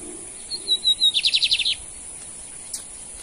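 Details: Male lined seedeater (bigodinho) singing in a contest between two males: a thin, high whistled note, then a quick burst of about seven buzzy, sharply descending chirps. Quiet follows, broken by a faint click.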